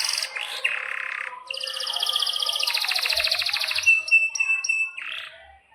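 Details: Canary in breeding condition singing vigorously in a long rolling style, a model song for teaching young canaries: rapid high buzzy trills and rolls, sharp repeated chirps and whistled notes tumbling nonstop at about four per second, with faint low thumps.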